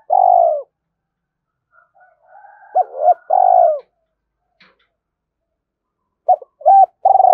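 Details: Lure call of a decoy spotted dove drawing wild doves in quickly: long, rough, falling coos spaced out with quiet stretches, plus a few shorter hooting notes near the end.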